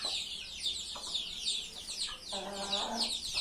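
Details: Chickens: constant high peeping chirps, then a drawn-out, harmonic-rich hen cluck about two-thirds of the way through.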